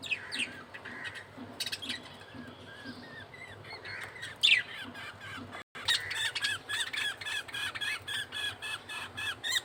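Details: Budgerigar feeding scene with a male bird and its chick: continuous chattering of short, looping, whistled notes, with louder dense chirping in the final seconds after a brief pause.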